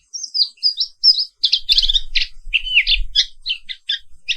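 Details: Black-capped white-eye (Zosterops atricapilla) in morning song: it opens with high thin whistles, then breaks into fast varied chirps and trills, with light low thumping underneath.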